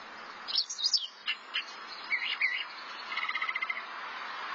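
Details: Thrasher singing: sharp high notes and slurs, then a short rapid trill of evenly spaced notes, over a steady background hiss.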